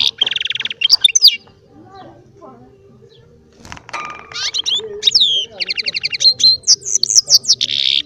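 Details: A small baster, a hybrid with goldfinch, gives a buzzy note, then after a lull with faint background noise resumes rapid twittering goldfinch-type song ending in a rasping buzz.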